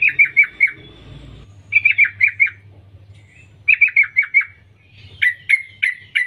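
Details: Female sooty-headed bulbul calling to males: bursts of four or five quick, slurred downward chirps around a bright mid-high pitch, repeated after short pauses, with a low steady hum underneath.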